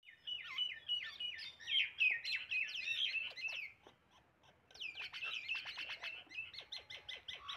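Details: Common myna (Acridotheres tristis) giving a busy run of high chattering, whistled and gurgling notes, varied and rapid, pausing briefly before a second burst of sharp clicks and whistles.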